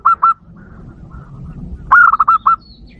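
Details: Zebra dove lure call meant to provoke wild doves: two short clipped cooing notes, then after a pause a rapid rolling phrase of throaty, pulsing coos, all mid-pitched, over a low background rumble.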